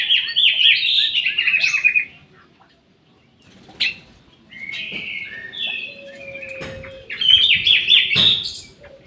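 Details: In an aviary holding orange-headed thrush and jali birds, a bird sings bursts of rapid, high trilled and warbled phrases separated by brief pauses, with sharp clicks and faint knocks between the phrases.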